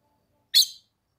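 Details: Female red-cowled cardinal calling to stimulate the male, recorded in summer in the caatinga of the Brazilian sertão: a single sharp, broadband chip note lasting about a quarter second.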